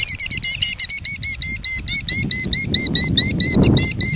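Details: A Killdeer performing a broken-wing distraction display (2019) gives rapid, shrill, repeated notes, about two per second, high and slightly trilled, over a low rumble of wind or traffic.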